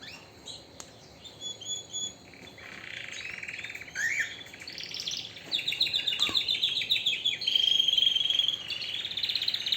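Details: Canary singing vigorously: scattered chirps build into long, very fast trills, with a bright rattling series and a high sustained trill toward the end.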